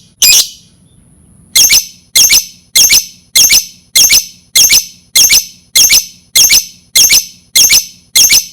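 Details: Lovebird, calls meant to lure lovebirds: one shrill squawk, a second of quiet, then a steady series of about a dozen short, piercing squawks, one every 0.6 seconds.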